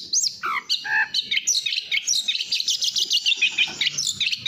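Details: Long-tailed shrike, known locally as cendet or pentet, singing in the fast, dense gacor speed rapet style: rapid high chattering notes with quick downward slurs and buzzy trills running almost without pause.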